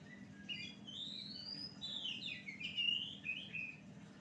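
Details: Oriental magpie-robin song played as a lure for other birds: quiet, varied whistled phrases with rising and falling slurred notes and short sweeps, over a low steady hum.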